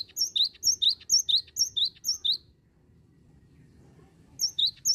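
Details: Cinereous tit singing nonstop, a lure recording for other tits: high two-note phrases, a sharp upper note then a lower rising one, repeated about twice a second in a run, a pause, then the phrase resumes. Quiet low background hum.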